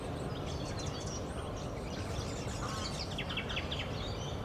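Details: Variegated fairywrens in Australia give thin, high chirps and short scratchy twitters, scattered quickly over a steady low rumble of wind or traffic.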